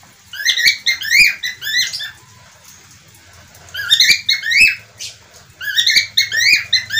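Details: Budgerigar, called parkit australia or falk locally, giving bursts of harsh, chattering calls with stacked harmonics, several short notes per burst, in three clusters separated by quiet pauses; a faint low hum sits underneath.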